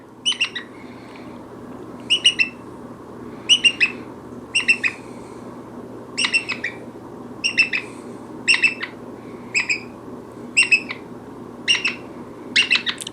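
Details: A chatty pet Brown-headed parrot gives short, shrill, squeaky calls in quick doublets and triplets, roughly every second or so, over a steady low indoor hum.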